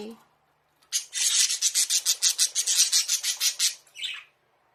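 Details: Budgerigar in a small indoor bird house, filmed secretly, calling for its keeper to come and play: a rapid run of about sixteen harsh rasping pulses over three seconds, ending with a short chirp.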